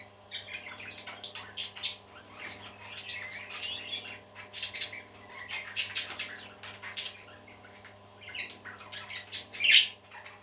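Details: Several pet parakeets singing: soft, continuous warbling chatter with scratchy bursts and an occasional sharper chirp, over a steady low electrical hum.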